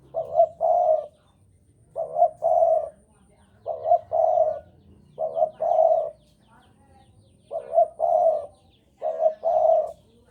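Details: Javanese spotted dove in strong breeding mood, singing persistently: six low, mellow cooing phrases, each a short note followed by a longer rolling coo, repeated roughly every two seconds over a quiet background.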